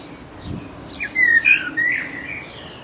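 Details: Short fluted burst from a resident blackbird's mating song: two or three mellow whistled notes, then a brief thin squeak, against quiet background hiss.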